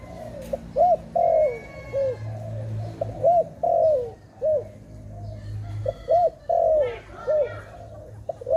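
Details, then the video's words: A dove gives repeated bursts of staccato, rolling coos: short arched notes alternating with longer drawn-out ones that sag in pitch, phrases recurring every second or so against a low rumbling background. "Sound of dove"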